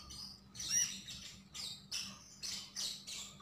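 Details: Javan grey-throated white-eye giving short bursts of high, thin chirps, about five separate phrases spaced half a second apart, one with a clear whistled note, over a soft background hum.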